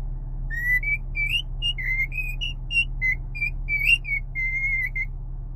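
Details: Cockatiel singing: a run of short clear whistled notes, some rising and some flat, given in quick succession with brief gaps, over a steady low hum.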